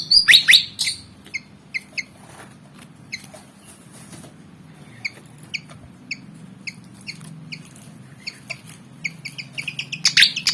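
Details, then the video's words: Black-and-white Javan fantail, about 19 cm, eager to fight: short sharp chip notes repeated at uneven intervals, with louder harsh bursts at the start and end over a low steady hum. "Burung Kipasan Jawa Ngotot Liat Pengen Tarung"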